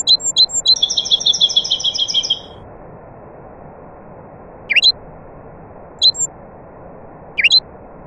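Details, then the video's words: Nightingale singing among other birds: quick repeated high notes lead into a dense rattling trill lasting over a second, followed by isolated sharp upslurred chirps against a constant background hiss. "طائر العندليب الحسنية وطيور أخرى Taghreed nightingale bird and other birds"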